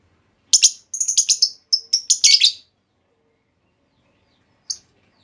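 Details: Lovebird hen calling to lure others into answering with extended trills: a rapid string of bright, high chirps lasting about two seconds, followed by silence and one last isolated chirp.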